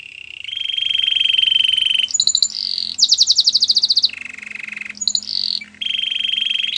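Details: Song of a canary, played to stimulate a quiet bird to sing: sustained low rattling rolls alternate with brief higher buzzy bursts and a fast pulsing trill, tours changing every second or two.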